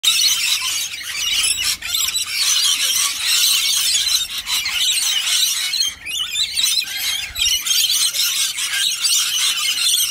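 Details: Rainbow lorikeets screech without pause, a harsh, shrill, high chatter filling the clip, several birds calling over one another, as one lorikeet is directed to fly to its handler amid competition.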